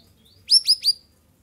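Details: A straw-headed bulbul in the afternoon gives three quick, rich, liquid notes that each slide downward, packed into half a second; otherwise quiet background.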